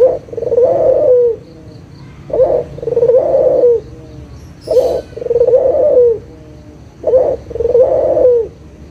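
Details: Barbary dove of the local kind cooing, played to coax quiet doves into calling again: three regular low coos, each a short burst then a drawn-out purring phrase sliding down, with a brief rustle in the middle.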